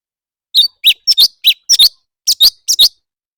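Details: Leafbird song from a singing contest: crisp high chirps alternating with doubled notes, roughly eight bursts at an uneven, quick tempo of under two per second; nothing else audible.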